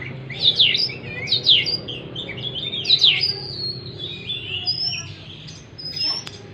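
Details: Oriental magpie-robin song played to stimulate a stressed bird that has stopped singing; rapid bursts of sharp, sweeping whistled and chattering notes, with some steady, sustained high whistles later, over a low background hum.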